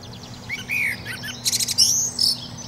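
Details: Common blackbird with one mellow fluted phrase that rises and falls, then a burst of rapid, very high squeaky twitter notes and a thin sliding whistle, over a faint low hum.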